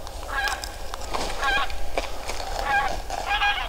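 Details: Geese flying over a bird reserve in late autumn, calling in flight: several nasal honks spaced irregularly, against a steady wind-like rumble.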